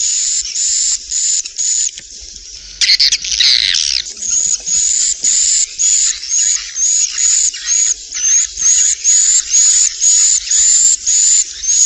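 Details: Swiftlets in a productive swiftlet house: quick rhythmic buzzy notes about twice a second, interrupted briefly by a louder harsh burst, then resuming with a thin high whistled edge.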